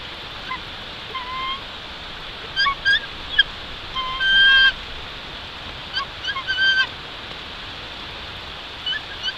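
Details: Bald eagle at a nest high in a Jeffrey pine at Big Bear Lake, California, on a April 2023 morning, giving scattered faint, high chirping notes and short chittering bursts against steady outdoor hiss.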